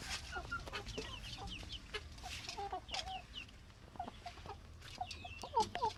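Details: Plump chickens murmur in soft, mid-pitched clucks and short squeaks, irregular and frequent, with occasional higher calls and faint background rustling.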